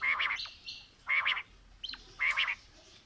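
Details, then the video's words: Quail (batair) calling, possibly a mix of female and male calls: short, harsh, buzzy bursts about once a second, each with a bright ringing tone, alternating with thin rising notes between them. "Female Batair Calling | Male Batair Sounds | Mix Calling| Batair Ki Awaz | Batair Ki lambi Awazay"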